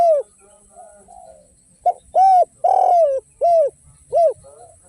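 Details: Spotted dove (derkuku), actively singing in the 'without kuk' and 'kuk 1' styles, gives soft faint coos first, then a loud phrase of a short note, rounded coos and one long descending coo.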